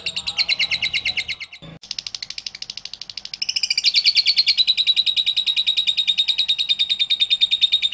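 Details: Lovebird in ngekek-style song, a recording used to prompt other lovebirds to sing: rapid high buzzy chatter pulsing several times a second, a brief break near two seconds, then a long steady trill that grows louder.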